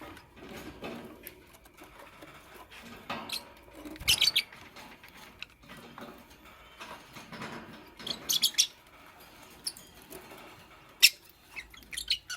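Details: Green Fischer's lovebird alongside a pastel bird while building a nest; brief shrill chirps in small clusters, spaced several seconds apart, over soft rustling and scraping of nest material.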